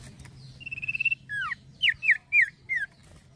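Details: Lively song of a male common iora: a rapid level trill followed by a string of five ringing, downward-slurred whistled notes delivered in quick succession, a steady low hum underneath.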